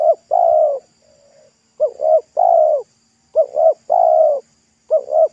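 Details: Roadside wild spotted dove targeted with a decoy, its voice said to be loud and thick like the pesom style. Repeated three-part cooing: two quick notes, then a longer purring note, with one faint low coo in a gap.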